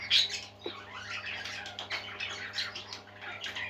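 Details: Parakeets singing as a group: a sharp squawk opens, then continuous warbling chatter of scratchy chirps and short whistles over a faint low hum.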